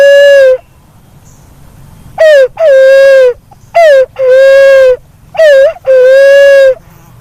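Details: Black-naped fruit dove, known locally as walik haji or walik kembang, giving loud, clear, mournful hooting notes; each is held about half a second to a second, slightly rising then falling at the end, delivered in short bursts with quiet gaps between.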